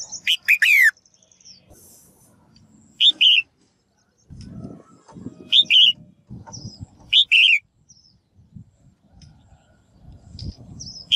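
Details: A female bird gives calls meant to prompt males to sing energetically. Short harsh downward notes are repeated at irregular intervals, some paired, with soft high chirps and an intermittent low rumbling noise in the background.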